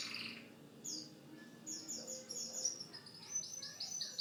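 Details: Canary song: bright, fast high trills and descending whistled notes in varied phrases, fairly quiet against a soft background hiss.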